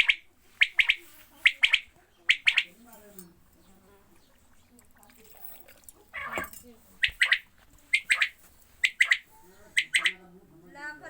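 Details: Captive quails being given water, uttering sharp, bright chirps in quick clusters of two or three, repeated roughly every second, with a pause midway where a voice and splashing are heard.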